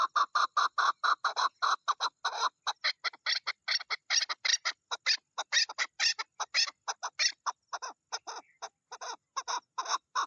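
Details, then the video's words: Long, excited series of grating chuk notes from a female chukar partridge during mating season, delivered in rapid, uneven clusters with short breaks, loud throughout. "مادی چکور کی مستی کا وقت the mating season or female partridge"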